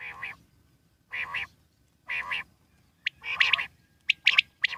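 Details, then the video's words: Wild common quail calling: three nasal, harmonic calls about a second apart, then a louder burst and rapid sharp high notes in triplets. "Common quail wild life sound /jungli Batir ki awaz"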